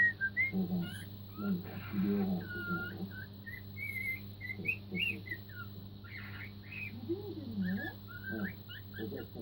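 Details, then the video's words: A four-month-old cockatiel working on Queen's Another One Bites the Dust, short whistled notes and slurs mixed with softer chattering sounds and a constant low hum in a room. "オカメインコ４カ月 Queenを練習中 Cockatiel practicing Queen's Another One Bites the Dust"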